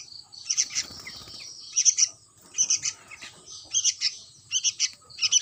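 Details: Young sooty-headed bulbul calling in quick clusters of shrill, high chirps, three to four notes per burst, with short pauses between groups.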